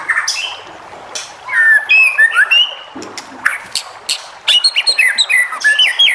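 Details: Song of a white-rumped shama meant to make other shamas respond: varied whistles, slurs and sharp clicks in quick bursts, ending in rapid rising and falling notes.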